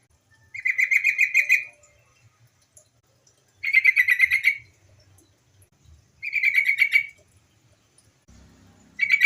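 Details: White-browed bulbul female giving a calling lure to prompt other birds to sing: short rattling bursts of quick pulsed notes, each about a second long, repeated every three seconds, with a brief low thump near the end.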